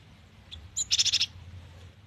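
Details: Singing cinereous tit, known locally as gelatik batu, in varied song: a couple of thin high notes, then one quick burst of about six sharp, high, evenly spaced notes, with a faint low background hum.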